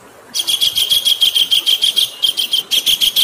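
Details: Kingfisher used as a tutor recording for songbirds, with flowing water behind: after a brief hush, a rapid run of sharp, high, evenly pitched notes repeats about three times a second, with one small break near the end.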